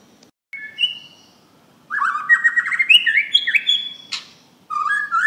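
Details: A Borneo white-rumped shama gives a loud song of rich whistled phrases that climb in quick, varied steps.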